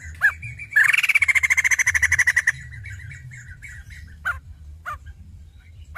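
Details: Female white-crested laughingthrush giving a loud, fast pulsed rattle for nearly two seconds, then a few isolated sharp clicks and calls, with steady low hum behind.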